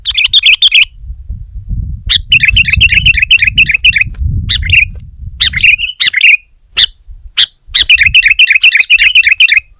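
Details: Kutilang, the sooty-headed bulbul, in aggressive rival-pressing song: dense rattling bursts of bright chirps, broken by sharp single notes and short bubbly phrases, then another long rapid chattering stretch, with a low hum underneath.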